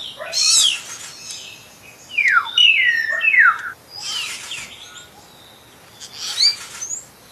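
Common hill myna giving loud, varied calls: harsh, gurgling bursts mixed with clear whistles that slide steeply downward, in three bouts over about seven seconds.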